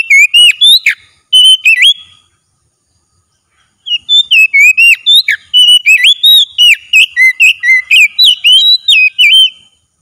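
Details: Oriental magpie-robin singing vigorously during daily training: bursts of sharp, varied whistles that slide up and down, a brief pause of nearly two seconds, then a rapid, continuous stream of bright notes.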